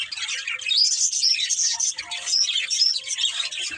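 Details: Budgerigars, a breeding pair, chirping continuously: dense, scratchy warbling and twittering chatter with quick high notes, unbroken through the recording, with no other clear sounds.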